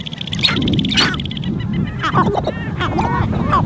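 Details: Wild sharp-tailed grouse on a Montana lek in spring, recorded from a blind: scattered sharp notes, then a few clearer, harmonic-rich whining and clucking calls in the second half, over wind and handling noise.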